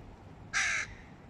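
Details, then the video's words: Hooded crow in a clash between males of two rival clans over high-value meat while young eat; a single harsh, raspy caw about a third of a second long over quiet background. "Клановые разборки у ворон из-за еды \ Crows. Clan wars over high value food"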